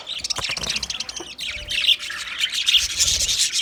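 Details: Raspy, rapid chattering from white budgerigars, a fast scratchy run of notes followed by higher squeaky warbling.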